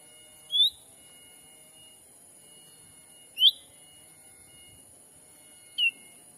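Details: Black-capped bulbul lure call meant to attract wild birds in Sumatran forest: three single clear whistled notes, spaced roughly every two to three seconds, with a faint steady high hum.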